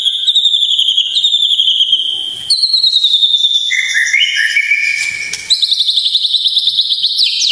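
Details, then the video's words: White-rumped shama song to provoke emotion: varied sustained high trills, one dropping to a lower buzzy trill midway, then rising again into a bright pulsing high trill. "masteran dan pancingan emosi murai batu, variasi komplit"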